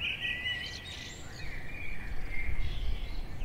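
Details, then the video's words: Eastern Bluebird in the Eastern Woodlands in springtime sings soft, mellow warbled phrases that gently waver in mid-high pitch, over a steady low rumble of wind or background noise. "Springtime Birds Eastern Bluebird Wildlife Birding 4K Nature sounds"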